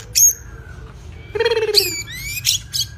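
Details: White-rumped shama in song training: a piercing high note, a thin fading whistle, then a loud harsh rasping burst followed by rising whistles and short scratchy chips.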